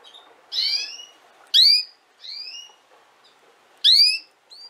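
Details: Female canary giving clear whistled notes. Loud bright rising chirps alternate with softer, longer falling whistles, about one call every second, against a quiet background.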